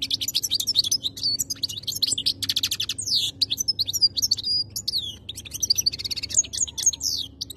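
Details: European goldfinch (khaloui) singing continuous rapid twitters with swooping downward whistles and short buzzy rolls, densely packed throughout over a faint hum.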